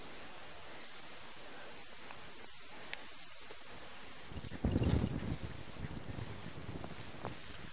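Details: Steady wind and low vehicle rumble outdoors, with a louder gusting burst around the middle and no animal voice.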